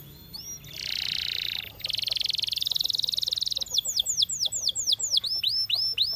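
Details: Canary song from a champion singer opening with long dense buzzy trills and a fast rattling roll, then a series of clear downward-slurred whistles repeated about twice a second.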